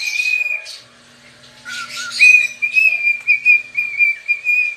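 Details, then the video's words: Cockatiel kept as a pet, dancing and singing: an opening whistle with rough noise, a low note, then a series of pulsed level whistles about twice per second over a faint hum. "Dancing (Rubbing its tail and....) and Singing - Pica the #Cockatiel"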